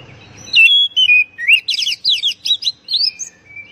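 An oriental magpie-robin sings a rich, varied phrase of clear whistles and quick rising-and-falling chirps, about three notes a second, with faint low rumble at the start.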